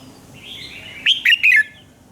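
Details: Red-whiskered bulbul in morning song for voice training: a soft rising whistle followed by three loud, quick warbled notes.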